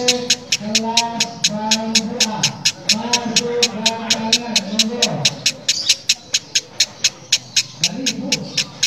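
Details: Female lovebird giving an odd, harsh cackle likened to a diesel engine: a steady train of sharp, dry clicks about four per second, with lower droning tones beneath through most of the stretch.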